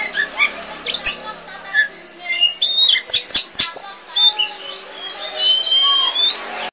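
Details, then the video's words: Kacer poci Oriental magpie-robin in restless, nonstop gacor song: a dense run of chirps, clicks and short high whistles repeated about twice a second, with rising whistled phrases over a constant low background hiss. "Kicau Burung Kacer Poci Gacor Cerewet Nggak Mau Diam"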